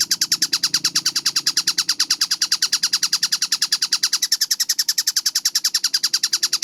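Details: Kingfisher called tengkek buto, recorded clear and fast as a training masteran: a sustained, rapid chatter of sharp, identical notes, evenly repeated about eight times a second, over faint low background hum.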